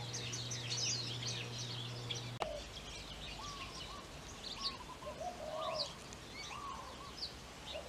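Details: Japanese White-eyes (Mejiro) in a yard on Maui, Hawaii, spring or summer 2020: rapid, thin, high chirps and twitters from several birds overlapping, with lower wavering whistles from another bird and a steady low hum early on.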